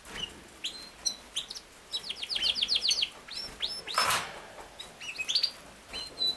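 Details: Yorkshire canary, also called king size canary, singing a varied song of short high chirps and sliding notes, then a run of quick rising notes repeated in a rolling series, ending with a harsher burst and scattered whistles.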